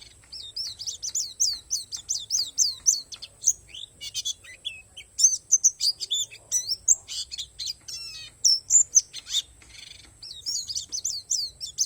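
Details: Pleci palas Borneo singing its nature-filled song: strings of rapid, evenly repeated high downslurred chirps open and close it, with scratchy bursts and mixed high notes in the middle; a faint steady high tone persists.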